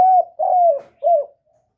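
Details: Caged decoy spotted dove calling to lure wild doves, recorded without background noise: a smooth, slightly falling coo, a short pause, a longer mellow coo, then a shorter one, with quiet surroundings.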